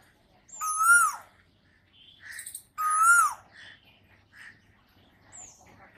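Asian koel giving two loud, ringing whistled notes about two seconds apart, each rising then falling. Faint chirps from other small birds are heard between them.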